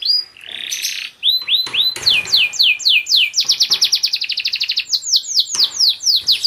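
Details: Canary song dubbed over a tour of cages of purebred Spanish Giboso canaries: fast varied song of rapid repeated upslurred whistles and dense high trills, loud and continuous, changing motif every second or two.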